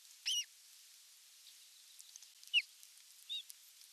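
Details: Osprey at its nest in Finland during evening feeding, 30 June 2022, recorded by nest camera: a short high arched whistled call with bright overtones, then two briefer squeaky notes about three seconds later, over faint background hiss.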